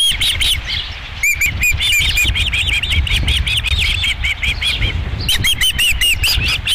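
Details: Osprey calling at the Dunrovin Ranch nest, 11 July 2016, around the second fish delivery: rapid series of short, high whistled chirps in quick bursts, with a brief pause near the middle, over low wind-like rumble.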